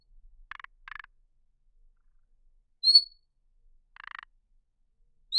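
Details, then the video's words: Thrush nightingale song in sparse phrases: short dry rattling bursts alternate with clear, high, pure whistles, against an otherwise quiet background. "صوت جديد للعندليب الشائع [تغريد|نداء] New Sound of Thrush Nightingale [Song|Call]"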